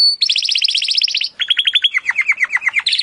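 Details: Timbrado canary singing as training audio: a fast high trill, then slower dropping notes repeated about four times a second, finishing with a rising burst.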